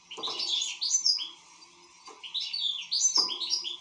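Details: European goldfinch in full song: two bursts of rapid, liquid, high twittering notes with tinkling trills, separated by a short pause, plus faint low knocks and a steady hum in the background.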